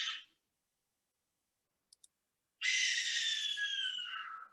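A Barn Owl gives a long, harsh, hissing screech lasting about two seconds and falling slightly in pitch. A brief screech comes before it, and two soft clicks are heard.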